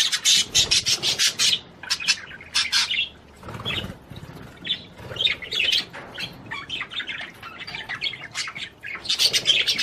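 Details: Budgerigar warbling to stimulate the female to mate, a near-continuous stream of rapid, raspy chirps and chatter, with wing flaps and fluttering noises mixed in around the middle.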